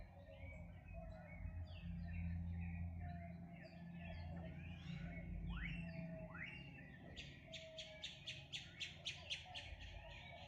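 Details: Morning birdsong from several birds: quick swooping whistles and downward-sliding chirps, then a fast series of sharp, evenly repeated ticking notes toward the end, over a constant low background hum.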